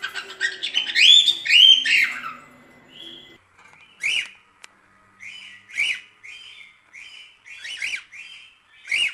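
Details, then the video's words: Cockatiel song for training other cockatiels to sing: a loud warbled burst at first, then a string of short whistled notes, each with a quick rising-falling twist, coming roughly every second. "Como Ensinar Calopsita Cantar 🐦 Calopsita Treinamento"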